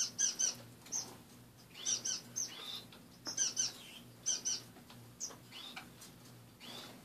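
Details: Caged finches calling in the morning produce clusters of two or three sharp, high tweets separated by short quiet gaps, with a few softer rising notes and a constant low hum in the background.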